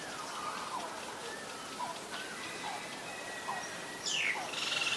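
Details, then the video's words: Green-billed malkoha (Rhopodytes tristis) gives soft, short, mid-pitched downslurred notes about once a second, while other birds add high whistles and a brief trill near the end. "นกบั้งรอกใหญ่ (Green-billed Malkoha)"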